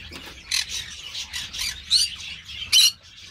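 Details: Green-cheeked parakeet (Pyrrhura molinae) at an amateur breeding aviary, uttering a ragged series of raspy squawks at uneven intervals. The last ones are louder and sharper.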